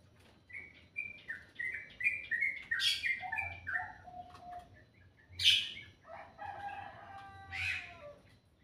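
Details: Morning bird singing sweetly, a stepped series of short clear whistles climbing then falling, broken by two loud sharp chirps, followed by lower sliding whistled phrases over a faint background hum.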